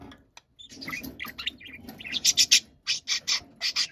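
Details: Angry, loud budgerigar shouting: a chattering mix of short chirps building into a string of strident, harsh squawks repeated roughly every quarter second near the end, over faint low background hum.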